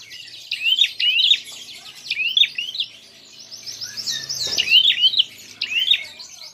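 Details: Prinia fighting call aimed at provoking other birds. Sharp, jerky chirps come in short clusters, broken by a gap and a soft rolling trill, with a dull thump near the end.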